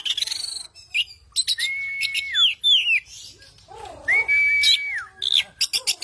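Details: Oriental magpie-robin in energetic fighter-style song: long level whistles that drop at the end, quick slurred notes, rapid high chips and a wavering low warble, all loud and varied.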